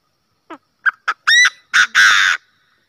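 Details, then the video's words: Chinese francolin used as a hunting lure, giving a short series of harsh calls: a few brief notes, then two longer loud rasping bursts with rising harmonic notes between them. "Chim đa đa mồi"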